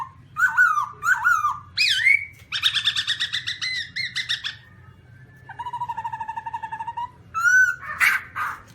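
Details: Black-throated laughingthrush song mixing looping whistled notes with fast rattling trills of rich harmonic pulses, a steady buzzy trill mid-phrase, then a bright upslurred whistle and a harsh burst; background hum low and constant.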